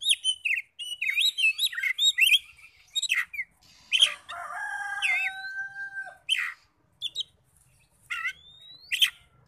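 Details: Magpie-robin lure song to make other magpie-robins answer, with fast chattering whistles, then a long level tone held for about two seconds, followed by sparse scratchy notes and a rising whistle.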